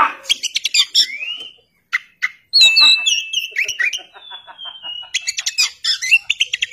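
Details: Oriental magpie-robin, known locally as kacer, sings a varied loud phrase mixing sharp chips, rapid buzzy trills and long pure whistles that hold level or slide gently downward, with short pauses between bursts.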